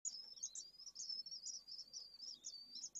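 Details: At a pallid swift nest in Jerez de la Frontera where two second-brood chicks have just hatched in high temperatures, a high, thin, continuous twittering chatter wavers rapidly up and down without pause over a faint low hum.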